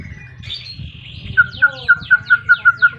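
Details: White-rumped shama (murai batu) singing to provoke rivals and lure silent shamas into song: a soft rising whistle, then a rapid string of about eight identical sharp whistled notes, five per second.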